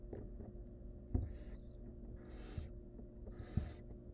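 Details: Barn owl at a nest where the mother saves a nestling from choking; three long breathy hissing bursts about a second apart, with soft low thumps and rustling in the nest.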